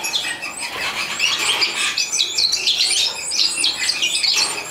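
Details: Captive-bred European goldfinch in Morocco singing: a loud, fast stream of high, liquid twitters and tinkling notes, with broad background hiss throughout.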